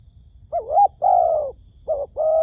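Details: Lure dove at a trap calling for wild doves: a wavering rising coo, then a long steady, slightly falling hollow note, repeated again after a short pause.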